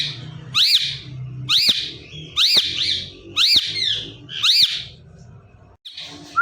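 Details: Female Indian ringneck parrot kept as a pet, making natural calls indoors: five loud, harsh, rising-and-falling screeches about one second apart, then a brief soft note.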